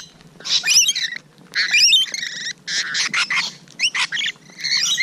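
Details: Morning close encounter with rainbow lorikeets, 12 June 2017, with shrill, buzzy screeches in short bursts repeated roughly once a second, some rising whistled notes mixed in.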